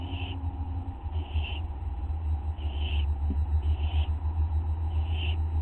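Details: Barn owl owlets begging during feeding at 5:59 AM on August 15, 2011; five soft, breathy hisses about a second apart, partly buried under a loud, pulsing low rumble and hum.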